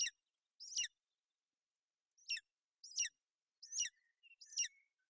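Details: Golden eagles at a nest in Bucovina on 28 May 2021, the female sheltering her chick from inclement weather. Five thin, high, downward-sliding chirps come in an uneven series with gaps between them. A faint short whistle is also heard.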